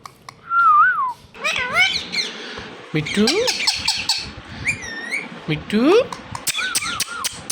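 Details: Indian ringneck parakeet mimicking speech indoors: warbled tonal phrases and sharp upward-sweeping squawky syllables in irregular bursts, with a person's voice and soft room noise in between.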